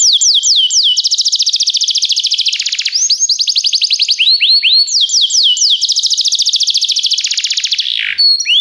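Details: Belgian canary song for training, alternating dense rapid trills with clusters of slurred, falling whistles, the rolling tours returning in a second long burst before a brief high note.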